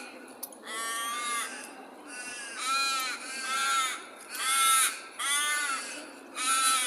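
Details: Daytime birds in Perth squawk repeatedly, about six loud, harsh, drawn-out calls, each nasal and heavily overtoned, rising in volume toward the middle, over a continuous background hiss.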